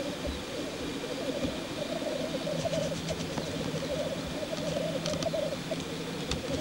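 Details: Black grouse male at a courtship lek, bubbling rookoo phrases rolling continuously and overlapping from several birds, with scattered faint clicks.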